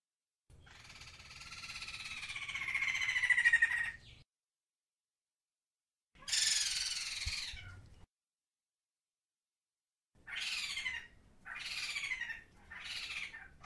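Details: A Sumatran laughingthrush (Garrulax bicolor), a highland-forest bird endemic to Sumatra, gives harsh, raspy chatters: a long churring burst, a shorter one after a pause, then three quick scratchy rasps in a row.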